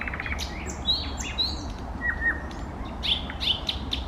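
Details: Thrush nightingale song phrase of high whistled notes and two short downslurred whistles, then a burst of bright repeated chirps, with a constant low rumble underneath.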